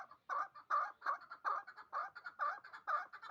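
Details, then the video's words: A captive two-year-old hybrid partridge in Dushanbe, bred for fighting and hunting, repeats loud, harsh, broad chuck calls roughly three times a second with short gaps between bursts. "Кабки гибрид"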